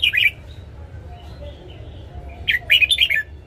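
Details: Red-whiskered bulbul in a cage singing at morning for training: a short warbled phrase, a quiet gap with faint notes, then a longer tumbling phrase of rapid liquid notes over a low hum.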